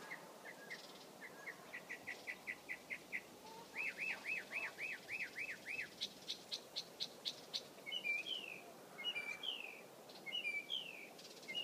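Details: Mockingbird song built from repeated units: short chirps, then a fast rising series, a bouncy run of looping whistles, crisp high ticks, and finally repeated downslurred phrases, each repeated several times.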